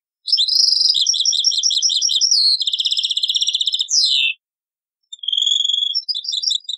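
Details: European goldfinch singing the taqsrayn song style, taken from an old cassette: high, rapid repeated twittering notes and buzzy trills, a descending slurred note, a one-second pause, then more tinkling phrases.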